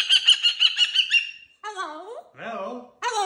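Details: Caged cockatoo enjoying new jingly toys on its cage makes a rapid series of pulsed whooping notes, then lower, bending speech-like sounds sliding up and down, and a short final squawk.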